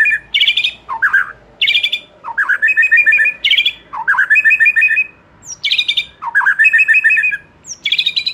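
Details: Repeated phrases for stimulating a young wild White-rumped shama past its spotted stage: each starts with a low swooping note, then a quick chattering trill and a high whistled flourish, roughly every one to two seconds.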